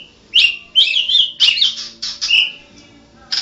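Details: White-rumped shama, a national champion bird, singing in the chattering, rolling style: clear whistled phrases, some slurred and some buzzy, come in short bursts separated by brief pauses, with a faint steady hum underneath.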